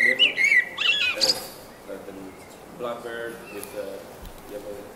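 A blackbird sings a brief, fluty, mellow warble that ends in a thin, high twitter, followed by a man talking quietly.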